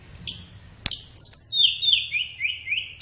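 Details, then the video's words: A flowerpecker sings for captive-bird training, played in the morning or afternoon: two sharp clicks, then a bright high whistle sliding down into a rapid, rippling twitter. "SUARA BURUNG - Masteran Terbaik Tledekan | Song 5"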